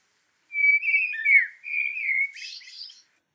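A Common Blackbird sings one mellow, fluty phrase of low warbled whistles, then ends with a brief high, scratchy twitter. No other sounds are heard.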